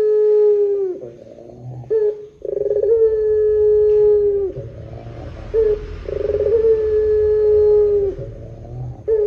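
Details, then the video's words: Barbary dove in the long drawn 'pelung' style, used as a lure to set other doves calling: a brief note, then a long steady mellow coo sliding slightly lower at the end, the pair repeating about every three seconds with a faint low rumble. "SUARA PUTER PELUNG PANJANG JOSS . PANCINGAN SUARA PUTER GACOR DORRR JERNIH"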